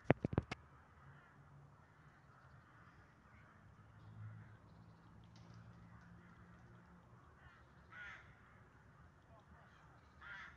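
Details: Jay giving a few harsh, rasping screeches near four, eight and ten seconds, each brief and separated by long gaps, over a steady low rumble of background noise, with sharp clicks at the very start.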